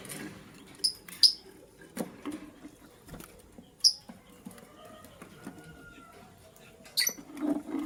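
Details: Green and blue lovebirds in the morning, scrambling for vegetables: a few short, sharp high chirps spaced seconds apart, over soft pattering and rustling from the birds moving about as they feed.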